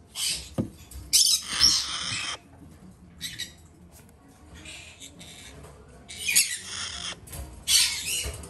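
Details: Two female Red-shouldered macaw chicks from a domestic breeder, hand-fed three times daily, giving harsh, hissing rasps in a few bursts of one or two seconds, with quiet indoor background between.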